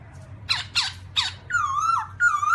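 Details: Black-throated laughingthrush, 2017: three rasping, harsh bursts, then two long, level, clear whistles with rich overtones.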